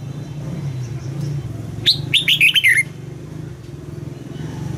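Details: Caged red-whiskered bulbul, Thailand, southern master song style for exciting birds: one short burst of five quick bright whistled notes, falling slightly at the end, over steady low humming noise.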